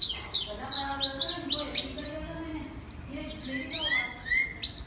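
A European goldfinch sings a fast, tinkling run of high twittering notes and buzzy trills, with faint murmuring voices and light background noise underneath.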